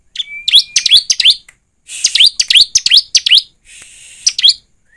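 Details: Lure to make a bar-winged prinia sing: a thin whistle opens into bursts of quick rising and falling high chirps, grouped in fast runs with one buzzy patch near the end.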